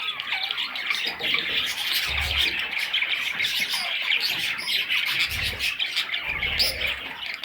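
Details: Budgerigar chicks call nonstop with rough, high squeaks and squawks, joined by three short low thumps from handling or movement.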